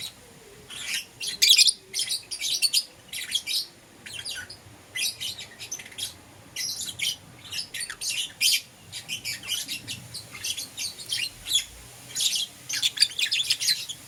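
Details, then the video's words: Several caged lovebirds, euwing green opaline and lutino, chattering in the morning: rapid, rasping high chirps and squawky notes in long irregular runs, nearly continuous, with brief lulls. "Lovebird Chirping Sounds"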